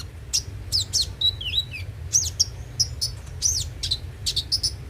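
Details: Ruby-cheeked sunbird (konin) song played as a lure to get the bird singing daily: rapid high, sharp chirps and short twittering trills, some quick down-slurred whistles, delivered in bursts with brief gaps; low steady hum beneath.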